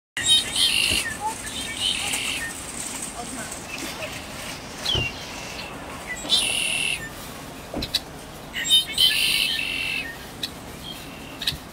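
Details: Flock of red-winged blackbirds calling from a tree in a Cupertino shopping parking lot, giving intermittent bursts of high, buzzy, gurgling trills every few seconds over steady traffic and parking-lot rumble.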